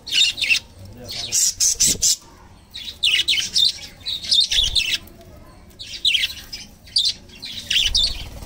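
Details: Budgerigars chirp in quick bursts of high, scratchy warbles with brief pauses between.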